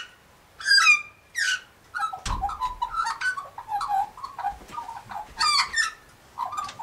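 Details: Near galahs, an Australian magpie sings: two bright descending squeals open, then a chain of short warbling, chortling notes in quick bursts, with another shrill squeal late on.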